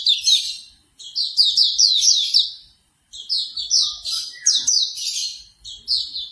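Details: Quick sweet chirps from Hume's white-eye in two long phrases split by a pause, each note slurring downward. A morning track meant to get a bird to open its beak and sing.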